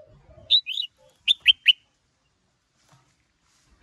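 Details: Male red-whiskered bulbul stirred by a female, singing 'sổ bọng' and 'ché' style phrases: two slurred warbling notes followed by three evenly spaced sharp whistles, then quiet and one final note.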